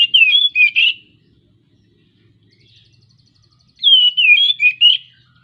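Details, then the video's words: Oriental magpie-robin in breeding condition, singing to stimulate birds that have stopped singing: two rich, warbled whistled phrases of twisting high notes, separated by about three seconds of near silence. "suara kacer jebol birahi | pancingan kacer efektif ampuh sembuhkan kacer macet bunyi"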